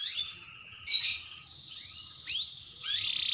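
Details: Pied 'panda' canary singing in full voice: separate high whistled and buzzy notes, some bright sweeping slurs and short rising strokes, with brief pauses between phrases and a faint low murmur beneath.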